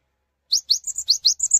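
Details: Singing Cinereous tit inviting other tits to sing along, a burst of high upslurred notes paired with brief level whistles after a moment of silence.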